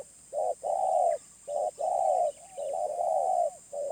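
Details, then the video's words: Medium-voiced wild spotted dove cooing close by. A short soft note is followed by a longer, fuller coo, and the pair repeats about every second, with a faint chirp behind. "Tekukur Liar // Suara Menengah"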